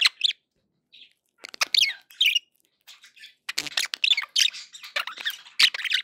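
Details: Happy budgerigar sounds from pet budgies: bursts of bright chirps and warbling squeaks, mostly high-pitched, in short irregular phrases with brief silences between them.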